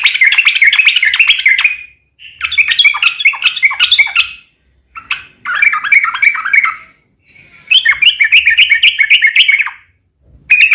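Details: Lure song of a sooty-headed bulbul (trucukan), lively gacor ropel style to make other bulbuls sing: several bursts of fast bubbling chatter, each one to two seconds long, separated by short silences.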